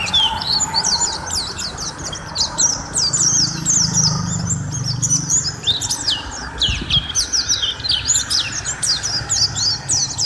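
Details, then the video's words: Long-running lively song of the Mountain white-eye used as masteran: continuous high, thin twittering with rapid zigzag notes, several phrases running together, a low rumble in the background. "Suara Masteran Burung: Pleci Gacor durasi panjang"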